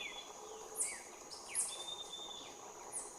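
Red-rumped Woodpecker giving short, sharp, high calls about every second, over a steady high insect drone and soft background noise.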